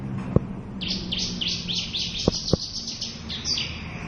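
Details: Local Javan bush lark singing a fast, dense sequence of high chirping notes in full repertoire, beginning after a quiet moment, with a few sharp clicks in the background.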